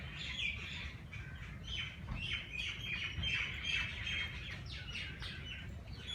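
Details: Softer dawn chatter of birds in Jilani Park, Lahore: rapid high chirps and twitters overlapping at a brisk pace, set against a low background rumble.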